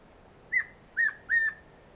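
A tawny antpitta gives three loud, clear whistled notes in quick succession, each short and level, against a quiet background.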